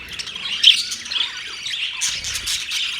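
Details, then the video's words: A gathering of birds chirping on October 3, 2023, with one loud sharp squawk early, then a softer, steady blend of twittering and scratchy chatter. "Birds chirping sounds"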